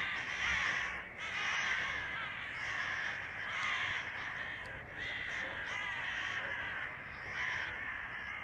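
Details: Crows flocking outside a window on a summer evening, loud for once: raucous overlapping caws in uneven bursts separated by brief lulls, the harsh calls coming from many birds at once.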